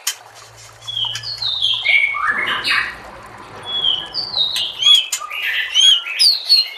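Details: White-rumped shama song for training caged birds: long, clear whistled notes sliding high and low, then quick bright slurred phrases, over a faint low hum during the first five seconds.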